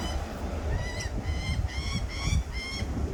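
A lorikeet gives short, nasal, piping notes, about five in three seconds, each slightly rising, over a heavy low rumble of background noise.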